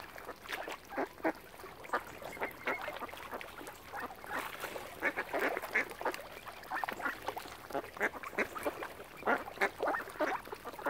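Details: A crowd of ducks on Lough Neagh, Oxford Island, Ireland, around a family of swans, keeps up a steady stream of rough nasal quacks in uneven bursts, callers overlapping throughout.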